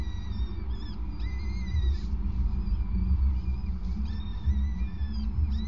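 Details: Peregrine falcon at a nest on a grating on 5 May 2019 at 20:54, male passing prey to his mate; repeated thin, drawn-out wailing notes with harmonics, some sliding, over a heavy low rumble of wind or machinery.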